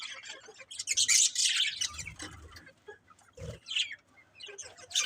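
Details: Pet budgies chatter in a loud scratchy burst early on, then softer scattered chirps and twitters with short gaps, a low thump near the middle.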